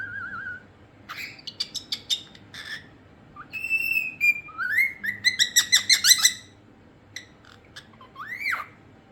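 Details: Cockatiel whistling: a wavering low whistle, then rapid chirps, clear rising and falling whistled notes, and a fast run of sharp chips, ending with a rising-falling whistle.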